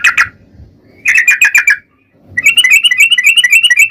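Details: Sooty-headed bulbul delivering rapid-fire 'ropel' song used to provoke other bulbuls into singing; two quick chirps, a fast rattling run, a brief silence, then a long stream of high, sharp notes.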